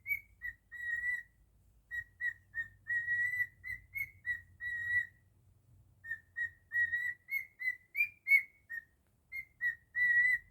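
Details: Pet cockatiel performing its version of Jingle Bells in a long whistled sequence of evenly pitched, bell-like notes. Short staccato whistles alternate with longer held ones, and the pitch lifts slightly mid-phrase. Background noise is faint.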